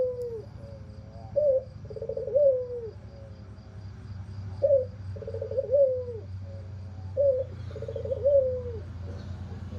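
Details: White albino Barbary dove with red eyes and a hoarse voice, cooing low in three phrases. Each is a brief rising note followed by a longer rolling coo, repeated about every three seconds over a steady low background hum.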